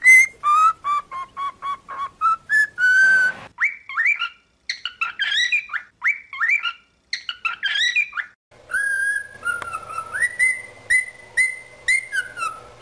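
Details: Pet cockatiel vocalizing for singing training: a rapid series of short whistled notes, then bursts of mixed chirps and warbles, finishing with steady rising whistles.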